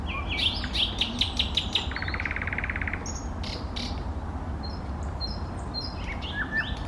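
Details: Song of an eastern nightingale, 2024: a quick series of bright repeated notes leads into a buzzy rattling trill, then pauses and scattered high whistled phrases, with a low steady rumble underneath.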